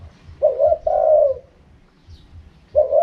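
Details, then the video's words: Spotted dove giving a wild-style call: low, soft cooing notes, a short coo run into a longer slurred coo, then another coo after a pause. "เสียงนกเขาใหญ่ คารมป่า 100"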